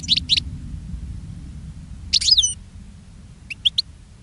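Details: Caged European goldfinch calling to attract other goldfinches: paired high chirps, a tinkling twitter, then three quick clipped notes over steady low background rumble.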